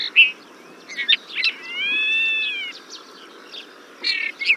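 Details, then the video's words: Desert finch song: short chirped and buzzy notes, then a long nasal, harmonic-rich drawn-out note lasting about a second, followed by more quick chirps and a buzzy burst near the end, over a faint steady background hiss. "Как поёт Буланый вьюрок?"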